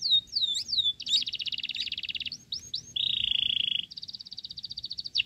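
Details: Begging Sooty-headed bulbul nestling fed crickets: looping whistled squeals give way to long runs of rapid high stutters, interrupted by a flat grating buzz.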